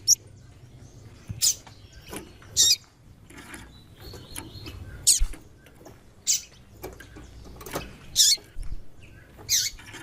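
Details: Female white-throated seedeater calling repeatedly to stimulate a male: a run of about eight short, high, dry chips spread unevenly, some louder than others, over soft background noise.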